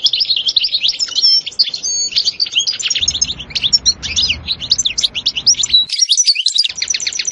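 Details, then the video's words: European goldfinch song in the sestsa and betbta styles, described as very stimulating: rapid, dense twittering with liquid whistled notes, buzzy trills and tinkling phrases pouring out continuously, loud and close, with a brief pause near six seconds. "تغريد حسون روعة ستستة وبتبتة خرافية محفزة جدا goldfinch jilguero chardonneret"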